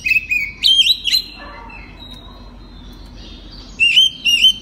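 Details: Oriental magpie-robin singing at night in the open, full 'ngeplong' style, used as a lure to prompt other birds to answer. Clear, high whistled phrases with sliding notes, a pause of soft background hiss, then more bright repeated whistles.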